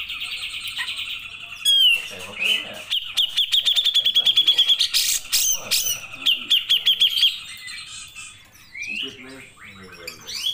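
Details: Grey-cheeked bulbul song used as a training recording for cage-bird keepers: a long fast trill of sharp repeated notes lasting several seconds, mixed with harsher squeaks and sliding whistles, with faint voices in the background.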